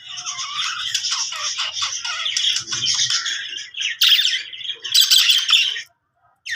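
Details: Happy budgerigar warbling, a long scratchy chatter of chirps and squeaks, then two louder sharp calls and a brief silence.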